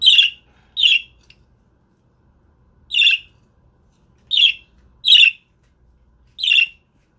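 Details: Pet budgerigar, the father guarding eggs and not letting anyone close, repeats loud harsh squawks about every second or so, six in all, with clean silence between them indoors.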